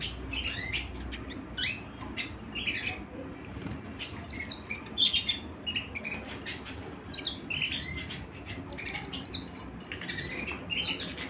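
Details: Canaries singing indoors with bursts of high chirps, trills and whistled phrases separated by brief pauses, over a soft low hum.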